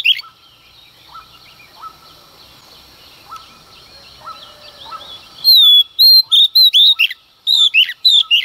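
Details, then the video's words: A female Oriental magpie-robin sings early in the morning to incite males; faint repeated chirps from distant birds for five seconds, then a rapid series of loud, piercing whistled phrases. "Choè than mái hót kích trống hót căng sáng sớm"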